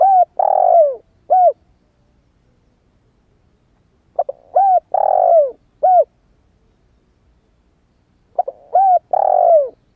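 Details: Spotted dove, a young bird that has just started calling and still has its wild plumage, used as a decoy to lure wild doves. Three cooing phrases, each of short stuttered notes, a long descending coo and a final short coo, with quiet gaps between.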